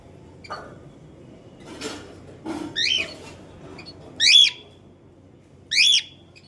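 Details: Cockatiel parrot calling: a few soft rough notes lead into three loud harsh screeches, each rising then dropping, spaced more than a second apart over a low steady background hum.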